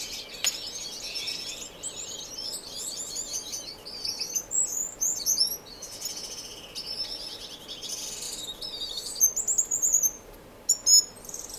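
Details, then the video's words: Several finches in an indoor, non-breeding community aviary in Edmonton, Canada, keep up a busy run of high twittering and warbled phrases, broken by brief pauses and sharp chirps near the end. "Twenty Relaxing Finch Minutes"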